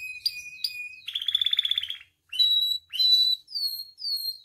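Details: Captive canary singing, recorded as tutor and provocation material. Steady whistled notes lead into a fast rattling trill, then short bright phrases and sweeping descending whistles separated by brief pauses.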